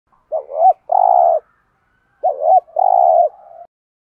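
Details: Spotted dove giving the rapid 'thúc gù' coo used to excite other doves into calling: a short wavering rising coo followed by a long level coo, repeated twice, clean and loud.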